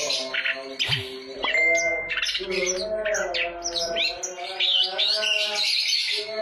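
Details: Kept Long-tailed Shrike whose song is used as a lure to provoke other shrikes into singing, in a dense, harsh song of rapid chattering notes, squawks and shrill whistled snatches, with a steady tonal hum underneath.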